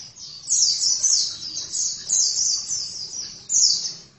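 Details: Singing oriental white-eye in gacor form: a steady, high, scratchy warble with louder swelling phrases roughly every half second, over faint low background hum.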